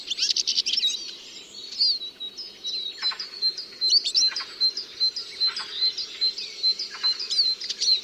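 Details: Eurasian siskin song mixing scratchy twitters with a sustained, thin wheezy tone held for several seconds and punctuated by quick chips repeated at a brisk pace.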